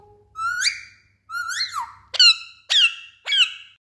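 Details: Pet parrot, described as talkative, giving five loud harmonic calls: two rising, drawn-out squawks near the start, then three short sharp squawks in quick succession, in an indoor room with faint low hum.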